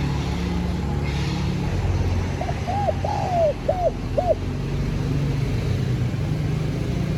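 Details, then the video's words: Spotted dove cooing to lure wild doves: one five-note phrase of hollow, low coos, a short lead note, two rounded coos, a long drawn-out coo, then two clipped ones, over a steady low rumble like passing traffic. "TIẾNG CHIM CU GÁY Giọng Hấp Dẫn ( GỌI BỔI + THÚC )"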